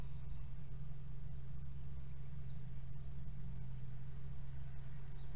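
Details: An idling engine hums at a constant low pitch throughout, with no animal sounds.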